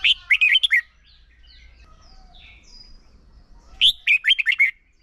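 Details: Red-whiskered bulbul decoy in contest singing for training birds: two bright phrases of five quick, bouncy chirped notes about four seconds apart, with soft high whistles and twitters from other birds in between.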